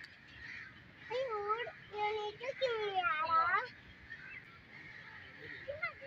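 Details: Blue peacock at a peacock house giving loud, nasal, harmonic calls with arched, bending notes, several in quick succession over about two and a half seconds, over steady high chirping and hiss in the background.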